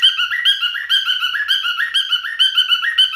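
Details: Male cockatiel whistles a rippling song of rising and falling notes repeated in quick, uneven phrases.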